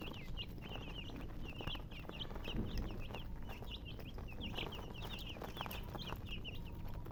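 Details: Chicks chirping in a busy chorus of thin, high peeps, many rising-then-falling, overlapping continuously above a loud low-frequency rumble and clatter.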